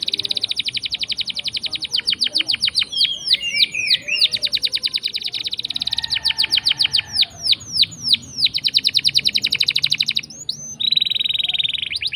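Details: Actively singing canary in a long rolling song, used as a lure to prompt lazy, silent canaries to sing. Rapid high trills of repeated notes, interrupted by swooping downslurred whistles, ending in a steady buzzy trill.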